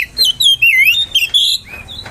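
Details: Oriental magpie-robin singing a lure song to provoke rivals: loud, clear, sweet whistled slurs that dip and rise in quick succession, with short bright notes overlaid across two seconds.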